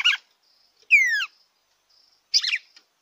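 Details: Red-cowled cardinal song, played to warm up a kept bird: a buzzy burst, then a loud whistled note slurring steeply downward, then another dense buzzy phrase, separated by clean silence.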